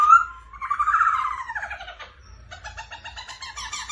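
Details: Captive black-throated laughingthrush with the female's rolling "ro ro" call. A sharp whistle and a wavering, descending warble are followed by a fast, soft, rattling series.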